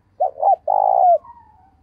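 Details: Spotted dove decoy bird calling in the morning to lure wild doves: two short hollow coos, then one long, throbbing, level coo that dips at its end, with faint trailing whistles afterward.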